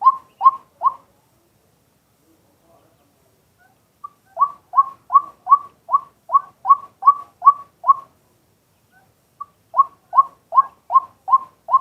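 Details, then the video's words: Male White-breasted waterhen calling during the day as a lure, recorded live on a set camera: three series of evenly spaced, short hooked notes, about two and a half per second, separated by pauses. "เสียงนกกวัก ตัวผู้ ต่อกลางวัน"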